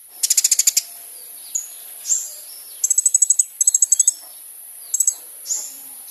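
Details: Olive-backed Sunbird singing vigorously, recorded for use as a lure to draw a response from other birds: very high, rapid buzzy trills in short bursts, plus thin rising and falling whistled notes between them.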